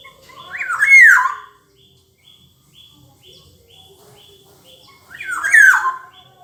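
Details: Black-naped oriole, known locally as kepodang, repeating a rich fluting whistle twice, about four seconds apart, each phrase rising then dipping in a liquid slur, with quiet background hum between.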